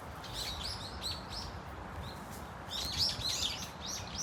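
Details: Brown-eared Bulbuls (Hypsipetes amaurotis) calling in a flock at Dunsan Grand Park, South Korea: loud, shrill, squealing notes that overlap in bursts, over steady low background noise.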